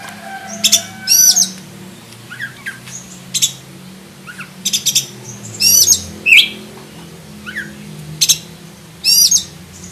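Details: Black-breasted oriental magpie-robin giving scattered sharp, high chirps and brief whistled phrases separated by pauses of a second or more, over a low background hum.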